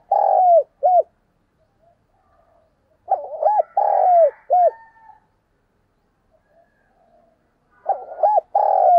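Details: Decoy spotted dove cooing to draw in wild doves: bursts of soft, hollow hoots, two quick notes then a drawn-out rolling coo and a short final note, repeated after pauses of a few seconds, faint twittering in the gaps.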